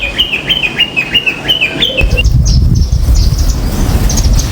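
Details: Common myna on a balcony giving a run of clipped, evenly spaced mid-pitched notes for about two seconds, then fainter high chirps from other birds over a low rumbling background.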